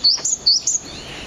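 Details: Two Japanese tits on a bridge give a loud alarm call in April, seemingly sensing something wrong: four sharp, high chirps alternating between two pitches in quick succession, then a faint hiss.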